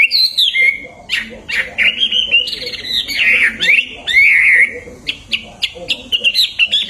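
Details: Hwamei song for tutoring songbirds, described as loud and beautiful: rich warbled phrases with slurred whistles and some harsher notes, delivered in uneven bursts over a low background murmur.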